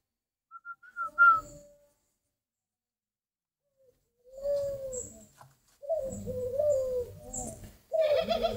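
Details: Spotted dove kept for breeding: a brief high whistle is followed by silence, then low, throaty cooing phrases that come in separate bursts, with some clattering noise.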